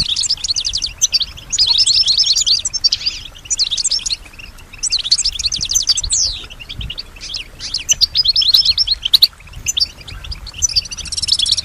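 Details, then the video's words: Pet European goldfinch singing in reply to surrounding sounds; bursts of rapid jangling twitter and buzzy trills about a second long, alternating with brief quiet gaps, repeated throughout. "Solutions to keep your goldfinch healthy and singing with strong stimulation"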